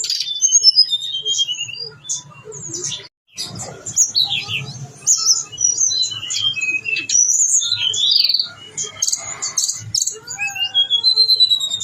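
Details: Blue-winged leafbird in long, lively song showing all its imitated phrases: a continuous stream of high whistles, chips and buzzy notes, with a brief silence before a dense, busier passage and rapid repeated notes near the end.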